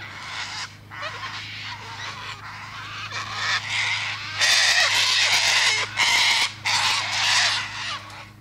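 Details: Harsh cockatoo squawks in a dense run, about ninety a minute, some calls merging into longer grating bursts that grow louder toward the middle, over a steady low background hum.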